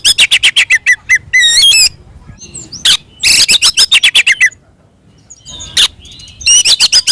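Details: Fighting song of an Oriental magpie-robin, played to provoke rival birds: quick trains of sharp, high clicking notes about four per second, a sweeping whistled phrase, then short gaps and more harsh bursts.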